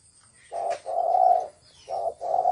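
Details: Spotted dove cooing thổ sấm style: loud low coos in pairs, a short note then a longer steady one, repeated twice within a few seconds.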